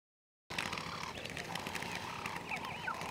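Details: Namaqua sandgrouse group calling after a brief silence; a busy chorus of rippling, chattering calls with a steady lower tone underneath.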